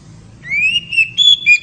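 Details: An oriental magpie-robin gives ngeriwik song to excite a female: pure whistled notes, a long rising slur followed by several short level and stepped whistles.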